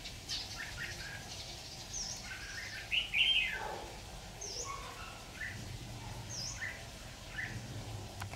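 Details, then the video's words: Red-whiskered bulbul used as a decoy to trap wild birds, 26 October 2019: one bright warbled phrase near the middle, with brief scattered chirps before and after, over low steady background hum. "Bẫy chào mào"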